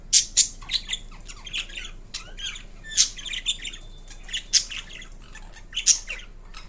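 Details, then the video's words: Indian ringneck parrot producing a mix of sounds: piercing shrieks recurring every second or so between bouts of chattering, grating notes, lasting several seconds in a quiet room. "Kiwi Indian Ringneck Parrot Making Unique Sounds"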